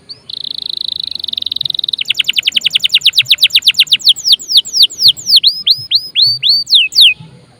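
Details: Domestic canary in full 'gacor' song, played as a lure to prompt other birds to sing: a steady high buzzy note, then a fast run of rapid repeated chips, slowing into loud descending whistled sweeps.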